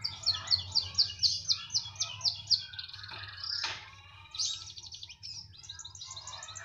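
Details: Canary in lively song, said to sing wherever it is placed: around ten rapid, regularly repeated high syllables, a short noisy burst, then a fast rattling trill resuming after a brief pause.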